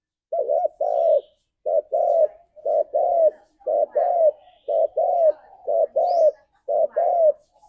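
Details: Spotted dove calling to its companions, repeating a mellow two-part coo about once a second: a quick double note, then a longer rounded coo, in a steady, even rhythm.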